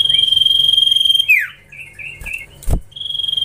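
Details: Common iora youngster being trained: a steady pulsing buzzy whistle, a downward slur, a few short warbled notes, two sharp clicks or knocks, then the pulsing whistle returns.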